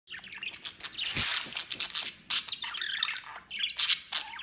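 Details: Pet white male budgerigar playing outside its cage, flying and playing alone or with another budgie; bright, rapid chirps and scratchy chatter in short bursts, with some sharp squawks.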